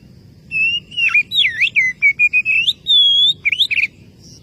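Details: Oriental magpie-robin calling to a rival, singing a loud whistled phrase: a level note, sharp dipping swoops, a run of short clipped notes rising in pitch, then a long pure whistle and a brief rising flourish.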